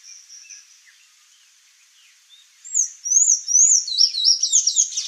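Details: ['Sayaca tanager singing: after a faint, thin opening, a quickening run of high, squeaky, slurred twitters starts near the three-second mark and carries on to the end.']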